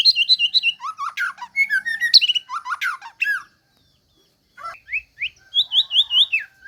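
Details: White-rumped shama song, a rapid varied series of whistled and chattering phrases, loud and clear, with a brief silent pause before rising whistled notes resume.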